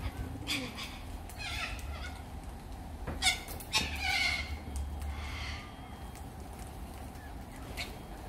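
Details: Little corella calling with a series of short, rough screeches and scratchy bursts, irregularly spaced, with low rumbling background noise in the first part.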